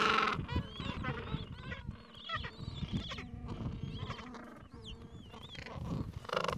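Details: Colony of gentoo penguins in the Falkland Islands with chicks aged two to three weeks, mild afternoon; loud harsh calls at the start and end, with wavering high-pitched chick peeps and scattered brays between them.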